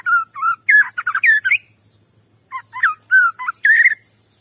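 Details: White-rumped shama song meant to provoke another shama: rich, varied whistled phrases with slurred rising and falling notes and sharp high ticks, in two bursts split by a brief pause.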